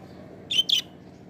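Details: Budgerigar uttering a quick pair of harsh high chirps, one right after the other, against a low constant background hum.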